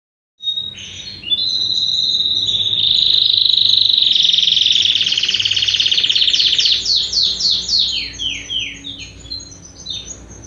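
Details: Young mixed-breed canary of no defined breed, just beginning to sing: a loud, even, rapid trill held for several seconds, then a run of quick descending slurred notes that fade out.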